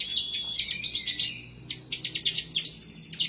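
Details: Excited bar-winged prinia (ciblek semi), emotional and seeking a rival, gacor nembak ngebren singing for masteran: high, fast, choppy phrases of sharp chips and buzzy trills in quick pulses, with one thin rising whistle midway.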